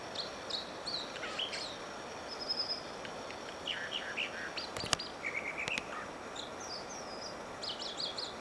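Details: American dipper singing while dipping beside Whisper Creek near Diamond Lake, Oregon: scattered high whistled notes, quick trills and lower warbles, with two sharp clicks near the middle, all over continuous rushing water.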